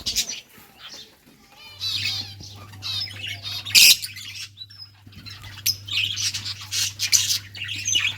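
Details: Budgies playing on June 17, 2023: squawky chirps, rattling trills and sharp high calls in irregular bursts, one loud harsh note near the middle, over a low steady hum.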